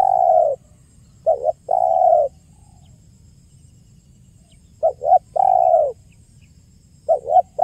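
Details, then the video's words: Clear, active spotted dove calls used as a lure: each phrase pairs two short notes with a sustained mellow coo, in the 'kuk 1' pattern, repeated at a steady pace. "SUARA JERNIH BURUNG TEKUKUR KUK 1 GACOR PALING AMPUH UNTUK PIKAT DAN PANCINGAN"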